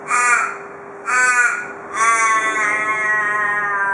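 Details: An Australian raven in Perth, Australia, daily visitor to a porch, gives two harsh caws then a long, drawn-out final wail of about two seconds, completing the "cock a doodle doo" call typical of local ravens.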